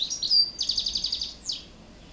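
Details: Goldfinch in a singing contest gives a bright, tinkling phrase: a sharp twitter, a quick run of about ten rapid liquid notes, then a falling slurred note.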